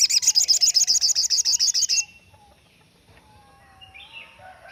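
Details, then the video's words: Crested jay (sogon) giving its standard 'tembakan' burst, a recording sought as master material for training songbirds: a loud rapid rattle of about a dozen sharp, even high notes over two seconds, then near silence with faint thin whistles. "tembakan standart sogon yg di cari kicau mania buat masteran"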